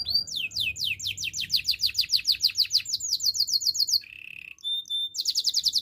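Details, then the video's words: Canary pouring out a long fast series of sweeping whistled notes, followed by a short low buzzy trill, a thin steady tone, and another rapid rolling run. "Active canary singing makes your canary sound"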